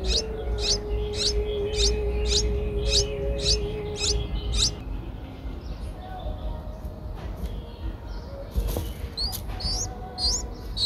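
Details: Streak-eared Bulbul chicks aged eight days, Ubon Ratchathani, Thailand, 10 April 2023; a rapid run of high, sharp squeaks about twice a second, a pause with soft rustling, then a few more rising squeaks.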